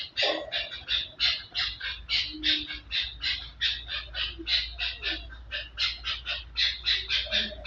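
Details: Repeated hoarse chuck notes from a Chukar partridge, rapid and fairly even at over three per second, over a constant low background rumble.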